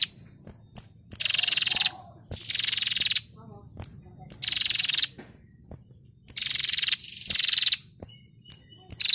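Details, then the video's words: Female prinia in the ngetirr style used to train songbirds: loud, dry, buzzy trills lasting under a second, repeated about every one to two seconds, with a few faint soft notes and a low hum between them. "Masteran Burung Prenjak Betina Gacor Ngetirr Variasi"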